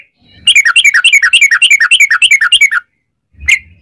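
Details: Yellow-vented bulbul in 'ropel panjang' long rapid-fire song, used as a lure to make other bulbuls sing: a fast run of about sixteen bubbly, chirping notes at roughly seven per second, then a pause and one single note.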